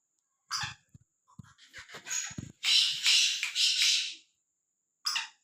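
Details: A fearless, freely roaming black francolin gives a scratchy, grating call of three rough bursts about one and a half seconds long. Scattered clicks and soft knocks come before it, and a short rasp follows at the end.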